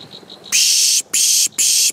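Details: Plain prinia, subspecies herberti, in Samut Prakan, Thailand, on 4 October 2018, gives three loud harsh buzzes about half a second each, after soft faint ticking notes.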